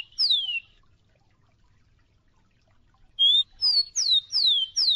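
Rufous-collared sparrow singing clear, high whistles that slur downward, one note, a pause, then five in quick succession. No other sounds.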